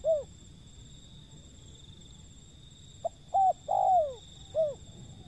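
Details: Calling wild zebra dove: one curved coo, quiet for two seconds, then a quick sequence of soft hooting notes with a long downward-sliding coo, closed by a short arched note. Faint steady hiss behind.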